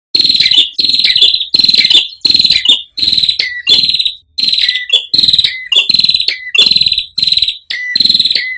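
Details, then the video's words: Ashy tailorbird song used as a tutor recording for training cage birds, mixed with trickling water. Loud, sharp, high notes repeat about every 0.7 seconds in a steady chain of a dozen phrases, many ending in a lower clipped note. "MASTERAN BURUNG PRENJAK KEPALA MERAH JERNIH GEMERICIK AIR"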